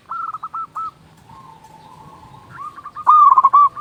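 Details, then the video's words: Zebra dove of local stock with a big voice, used as a lure call: short soft coos, a long low quiet trill, then a sudden loud, rapid string of about seven bubbling notes. "Panggilan burung perkutut"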